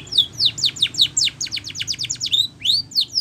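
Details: Spanish Timbrado canary performing training song: rapid, evenly spaced descending whistled notes, rolling into a fast tight series, then a few rising-and-falling swoops at the end.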